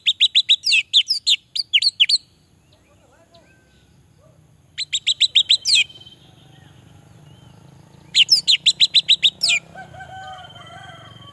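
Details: Orange-headed thrush song played as a lure and therapy for males reluctant to sing: three bursts of rapid, loud, piercing whistled notes, each about two seconds, separated by pauses, with a faint steady whine and soft background twittering.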